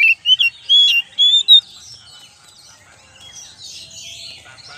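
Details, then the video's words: Oriental magpie-robin lure recording, starting with a quick burst of loud whistled notes rising and falling, followed by several seconds of faint, soft chatter in the background. "pancingan kacer"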